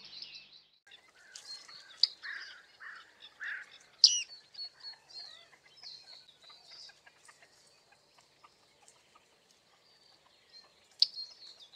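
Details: Bearded reedlings recorded on a very foggy day with a Panasonic G9 and 100-400 lens; a run of short, high pinging and chirping notes, some dropping in pitch, scattered irregularly, with a loud sharp ping near the middle and another near the end.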